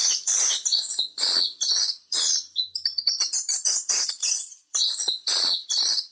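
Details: Swiftlet calling sound tested in nesting houses: high, scratchy chirp bursts, some long and some clipped and rapid, in an uneven chattering rhythm.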